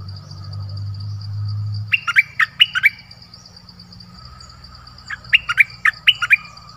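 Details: Streak-eared bulbul gives two runs of crisp, clipped chirps, each a quick up-and-down flick, after a stretch of low rumble; a thin high-pitched whine persists throughout.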